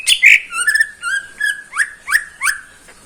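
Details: Greater green leafbird, a neighbour's caged songbird, singing in the morning: a loud opening squeal, then a steady series of clear whistled notes, several rising sharply, spaced about every third of a second.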